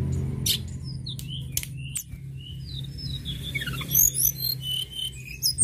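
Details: Sunda robin, known locally as tledekan gunung, in full song: sharp clicks and short whistles, then a rapid tumbling run of high notes descending, ending in bright chirps; low hum beneath.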